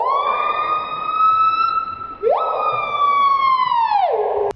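A screaming piha gives a piercing, siren-like whistle. A long level note snaps sharply upward, holds, then slurs down at the end.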